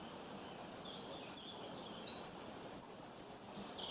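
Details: High-pitched bird chirping, a busy jumble of quick chips, slurred notes and short rapid trills, several bursts of fast repeated syllables running almost continuously over four seconds.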